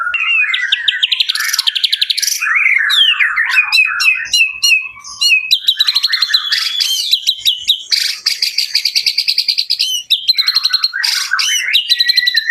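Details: White-rumped shama singing a loud, varied song of rapid whistles, trills and sharp chattering notes, with fast repeated clicks and rising and falling phrases.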